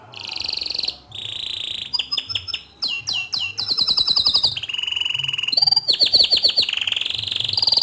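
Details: Varied canary song meant for training young canaries: steady whistled tones, clipped chips, fast trills, a low buzzy rattle and swooping notes follow in quick succession, almost without a pause.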